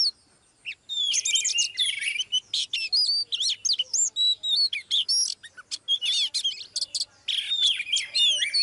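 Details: Female Oriental magpie-robin singing live to draw a male into excited song: dense bursts of varied high whistles, sharp slurred notes and scratchy trills, with a short pause near the start and at about seven seconds.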